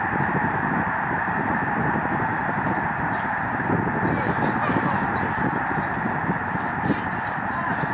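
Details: Migrating snow geese massed on Lake Springfield in Illinois, seen from Lincoln Memorial Garden: thousands of honking voices merge into a thick, continuous wall of sound, with a few sharper yelps rising above the din.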